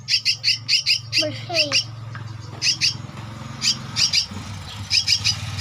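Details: Young Javan myna, aged two weeks, producing spaced, rasping double squawks in short trains, with a steady low hum throughout and a couple of brief sliding sounds early on.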